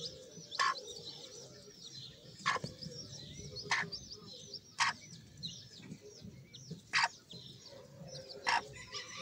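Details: A chorus of faint, high chirps from Sebright chicks, curved slurred peeps repeating steadily, with sharp taps about every second or two.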